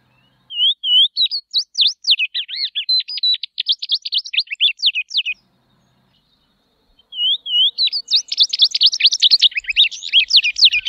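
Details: Sporophila beltoni song in two long phrases. Each begins with soft looping whistles and turns into a quick, twittering stream of high, zigzag notes. A short silence separates the phrases.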